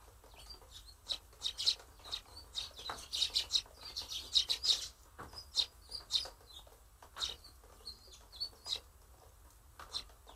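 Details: A busy group of sparrows inspecting handmade nest-box apartments with great excitement, hoped to nest there next spring; dense bursts of high, sharp chirping cluster in the middle, thinning to scattered single chirps toward the end.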